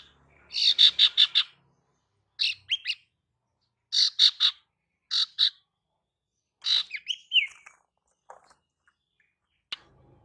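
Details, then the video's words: Female ashy tailorbird calling to lure males: short bursts of rapid, harsh chirping notes repeated in groups every second or two, with a brief twisting whistled phrase near the end, on a quiet background. "Kicauan SIRTU BETINA Untuk PIKAT SIRTU JANTAN"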